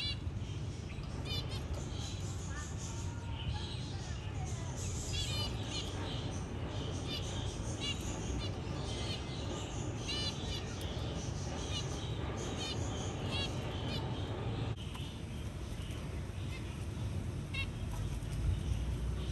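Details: Zebra finches around a hatching chick as the mother helps free the baby from the egg shell; a lively run of short nasal beeps and high chirps repeated through the recording over continuous low-pitched background noise.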